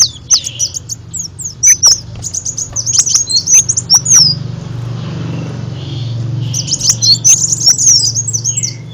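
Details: Lure sound of an olive-backed sunbird, meant to draw in other birds: bursts of sharp, high chips and short slurred whistles, a quieter pause in the middle, then the rapid chipping resumes over a steady low hum.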